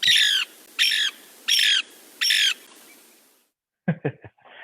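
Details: Lewis's woodpecker call in Central Oregon: four harsh, rasping squawks, each under half a second, repeated about every three-quarters of a second, then a brief pause and a few faint clicks.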